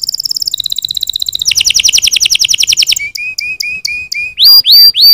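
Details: Canary song aimed at stimulating other birds to sing: rapid high trills changing pitch, a row of short level whistles, then loud rising-and-falling swoops.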